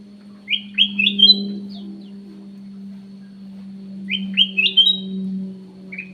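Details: Lure call of a kutilang emas, or cucak emas, in an aviary: a phrase of three or four quick rising whistled notes climbing in pitch, repeated about three seconds later, with a steady low electrical hum throughout.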